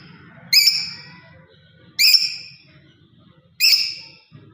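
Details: Pet lovebird parrot uttering three loud, shrill chirps spaced about one and a half seconds apart, each sharp at onset and trailing off, over a quiet low background hum.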